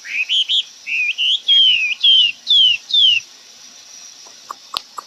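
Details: A bird sings 'xoay'-style song: short, fluted whistled notes, then a series of sliding whistles that each fall at the end, given roughly twice a second. A few sharp clicks close the passage.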